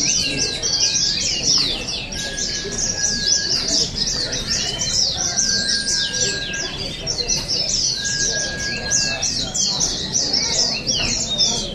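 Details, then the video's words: High, hurried twittering from several oriental white-eyes fills this stretch of the 2023 Balingian singing contest in Sarawak, with repeated long level whistles recurring every few seconds and soft human background noise. "Juara Pleci | Pertandingan Seni Suara dan Gaya Burung Terbuka Sarawak Pesta Bederun Balingian 2023"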